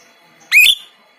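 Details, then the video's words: White-shouldered starling, kept as a tutor for songbirds, gives one short, rising, ringing whistle in an otherwise quiet setting. "Jalak Rio Rio Gacor || Masteran Yang Unik Untuk Burung Kicau Kalian."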